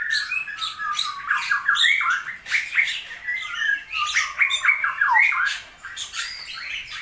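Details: Captive straw-headed bulbul in a small indoor space pours out loud, rich, bubbling warbles in rapid tumbling phrases with brief pauses; its keeper says the still-rainy season is holding back its singing.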